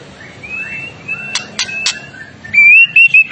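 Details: Agitated white-rumped shama in full song: soft faint whistles and a few sharp clicks give way to a loud, bright, slightly rising whistled phrase repeated in short bursts.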